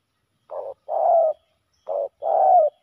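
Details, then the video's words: Male spotted doves in a fierce fight at a ground decoy; two clear, low cooing phrases, each a brief coo then a longer, slightly falling burry coo, separated by a short pause. "ต่อดินนกเขาใหญ่ ตีกันยับ!!"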